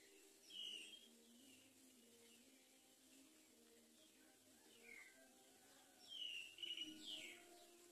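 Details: While a mother common myna brings rice to feed her baby, short whistled and chattering calls come in three bursts, with sharper rising notes near the end over a faint low hum.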